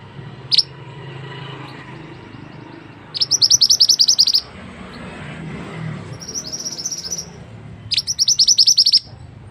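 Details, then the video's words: ['Mantenan bird song used as a tutor recording for training other birds: bursts of rapid, very high, thin ticking notes, each burst about a second long, separated by short pauses over a low background hum.'] "burung mantenan yang handal untuk masteran"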